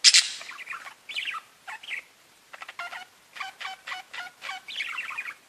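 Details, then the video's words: Chirping parakeets, a loud harsh squawk opening a sequence of falling warbles, clicks and a rapid series of buzzy repeated notes. "Parakeets Bird Chirping and talking to each other"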